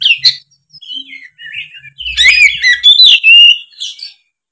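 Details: Oriental magpie-robin in song: rapid chirps leading into a dense, loud warbling stretch of slurred whistles and trills, with a faint low rumble beneath.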